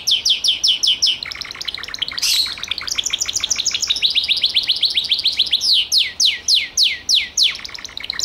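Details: Gloster canary song: clear repeated falling whistles, a long fast rattling trill, then more slow loud downward sweeps before a final trill.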